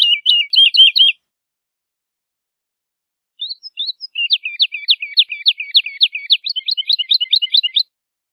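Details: Woodlark singing short bursts: a brief fast trill, a long pause, then a scattered start building into a rapid, slightly buzzy series of repeated downslurred notes lasting about four seconds.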